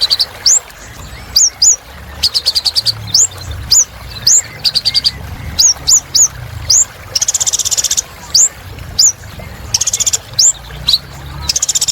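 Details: Energetic singing from a little spiderhunter: thin upward-flicked whistles alternate with rapid chattering trills, some long and buzzy, the phrases following each other with barely a pause.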